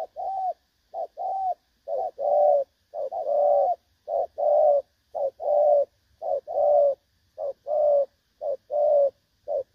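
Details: Spotted dove recording used as a trapping decoy, in the style called đồng son: clear low coos in short-short-long phrases, repeated steadily about once per second, on a quiet background.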